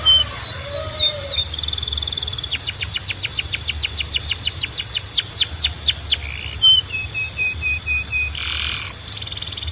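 A Belgian canary sings high, fast rolling trills and sweet whistled phrases over a thin steady high tone, with a short rasping burst near the end.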